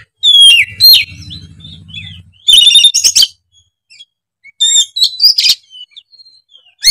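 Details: Kacer, an oriental magpie-robin, singing excitedly and emptying its repertoire: sharp bright whistles and harsh chattering bursts in separated phrases, with a low rumbling murmur beneath one early passage and quiet gaps.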